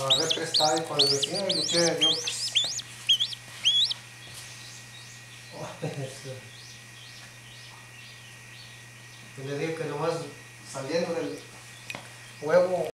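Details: Newly hatched chachalaca chicks give high, thin peeps in quick rising runs, mostly in the first few seconds, alongside lower harsh bursts that may be voices, over a steady hum.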